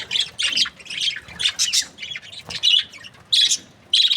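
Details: Breeding pairs of budgerigars chattering in noisy, harsh bursts of high scratchy chirps, each burst lasting about half a second with short pauses between, several bursts overlapping in a busy warble.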